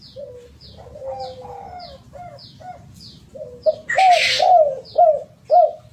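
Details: Spotted dove song of low, throaty coos, quiet at first and then louder, with arched notes repeated about twice a second. Faint high chirps from another bird recur throughout, and a brief rushing noise breaks in midway.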